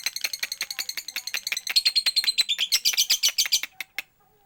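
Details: Lovebird singing in the persistent 'siren' style, from Pekalongan: dense rapid high chattering and buzzy notes repeated several times a second, briefly rising into a thin whistle, then stopping abruptly.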